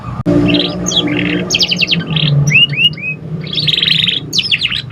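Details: A juvenile canary practising song, kept as a stimulation recording: rapid chattering trills, rows of crisp repeated notes and several clear upward-curving whistles in quick succession, above a faint low background hum, with a sharp click at the start.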